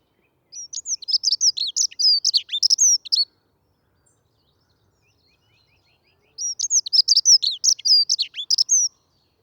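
A dunnock sings two fast, hurried warbling phrases of about three seconds each, high and squeaky, separated by a pause; nothing else is heard.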